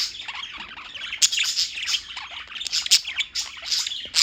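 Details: Continuous chirping from a group of birds in New York, a tangle of shrill, rapid twitters and short piercing squeaks that swell and fade in uneven bursts throughout, with no other sounds standing out.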